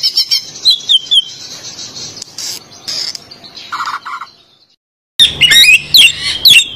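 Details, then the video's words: Green leafbird singing to prompt a white-rumped shama: squeaky high warbled phrases and sharp chirps, a brief drop to near silence, then a loud burst of shrill, tumbling whistled notes. "Cucak Ijo buat Perangsang Kacer Gacor ngerol dan Ngobra"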